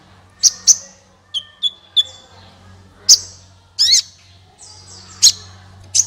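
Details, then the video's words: High-pitched sunbird song of the kind played to set other birds singing: scattered sharp ticks and thin piercing notes, one short buzzy burst, and a steady low hum underneath. "suara burung Kolibri ampuh untuk pancingan, suara burung Kolibri gacoorr 2 menit langsung ikut gacor"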